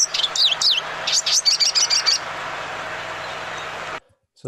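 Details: Lesser goldfinch song in Santa Barbara County: a rapid run of high, twittering phrases and slurred notes mimicking other birds, including a flicker, with a faint hum behind and a brief voice at the end.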